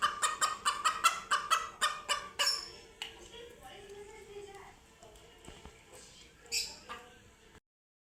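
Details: Scared chickens confronted with cats for the first time: a quick run of harsh, nasal squawks for about two seconds, then fading into quieter background sounds and faint rustling.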